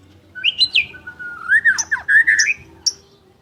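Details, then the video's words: Energetic song of a champion white-rumped shama, or murai batu: a long flowing string of rich, varied whistles sliding up and down, with high sharp notes scattered through it, over a faint steady hum. "Murai Batu Gacor Juara: Kicauan Penuh Gaya dan Energi"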